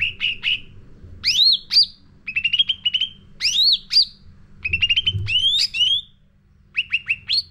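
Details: Training lure song of a sooty-headed bulbul, alternating rapid stuttering chirp clusters with loud upward-slurred whistled notes. Phrases last about a second with short gaps between them.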